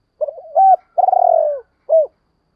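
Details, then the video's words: Spotted dove voice used to provoke and attract wild doves: soft stuttering lead-in notes, a firm hollow coo, a long rolling trilled coo falling at its end, then a single clean closing coo against silence. "tiếng chim cu gáy kích bổi và tập mồi hiệu quả, tiếng gáy gọi dục bổi rất xiêng gáy"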